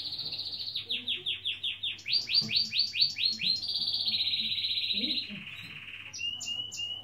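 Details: A European goldfinch (Carduelis carduelis) sings a quick run of bright, falling notes, then a sustained buzzy trill and high tinkling twitters, over a faint low hum.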